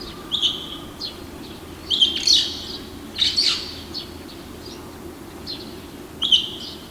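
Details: A lone male red-billed starling perched on a riverside apartment building wall in Hiroshima at dawn, May 2020: loud, shrill, slurred squeaks in irregular clusters, some doubled, against constant low urban hum.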